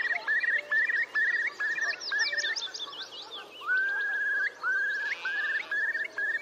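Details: Bubbling song of displaying male Eurasian curlews, recorded by Tindale Tarn at Geltsdale in late April 2021: quick run of short hooked rising whistles, then longer upslurred notes, while small birds twitter higher up.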